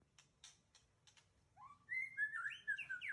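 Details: Mature male white-rumped shama of the Aceh type from Tangse, Indonesia, singing: a few dry clicks, then clear whistled phrases sliding upward and flowing into a rich, looping warble.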